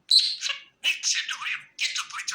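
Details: A contented pet budgie gives three quick bursts of chatter: a sharp whistled note opening into raspy, wavering warble, each phrase under a second long with short silent gaps between.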